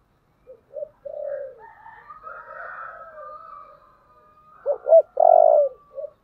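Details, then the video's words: Spotted dove giving its 'gáy gọi' calling coo in the earthy 'giọng thổ' style: soft short coos and a longer note, a faint higher whistling passage, then two sharp rising notes, a loud drawn-out coo and a short final note. "Cu gáy giọng thổ/ chuẩn thúc và gáy gọi"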